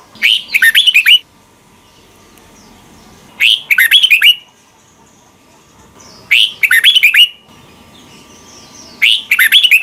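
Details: Red-whiskered bulbul doubled song, Thailand, used so young birds learn it: four evenly spaced bubbly phrases of fast rising and falling notes, separated by near silence.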